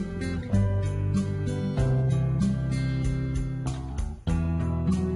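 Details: Plucked guitar music with a steady beat and sustained notes throughout, with no animal voice heard.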